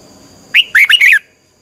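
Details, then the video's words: Red-whiskered bulbul training song in the 'twisting voice' style, used to fire up other birds: one brief phrase of four bright, clear whistled notes, rising then falling, lasting about half a second in a quiet setting. "luyện giọng chào mào hót hay, Giọng xoắn tít -KÍCH CHIM CĂNG LỬA"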